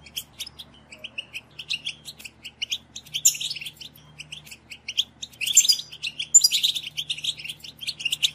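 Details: European goldfinch song to prompt caged goldfinches into singing: scattered short chirps building into louder twittering bursts with a few sharp high notes, over a faint low hum.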